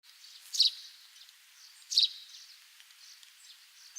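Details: Wild russet sparrow, also called cinnamon sparrow, singing in Japan's Hokkaido region: two short, sharp, high chirps about 1.4 seconds apart, separated by quiet background hiss.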